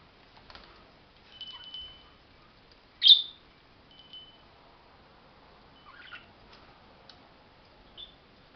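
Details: Caged budgerigars near the top of the cage give scattered sharp chirps and short warbled notes against a quiet background.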